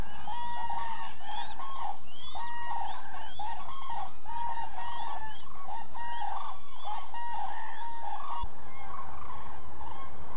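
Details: Migrating common cranes gathered in an almond orchard in the Hula Valley, Israel, during November, picking up fallen almonds before crossing the desert to Africa; a dense chorus of rolling, trumpet-like bugles overlapping continuously over low background rumble.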